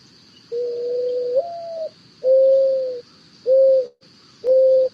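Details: Mourning Dove, Contra Costa County, giving its soft, low, mournful coo: a drawn-out note that lifts and slurs, then three slow, hollow woos, over a faint steady high whine; not an owl call.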